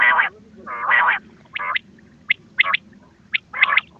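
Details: Calling quail from a hunting lure recording: two long, harsh, buzzy bursts, then shorter clipped rasps and a few high squeaky notes, over a soft droning hum.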